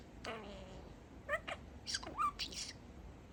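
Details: Pet budgie, male, chatting: a falling harmonic note followed by clipped clicks, a quick upward sweep and breathy, hissing word-like bursts.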